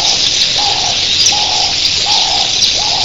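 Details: A huge early-morning flock of red-billed queleas makes a constant high, fizzing chatter, while a lower dove-like coo repeats about every 0.7 seconds underneath.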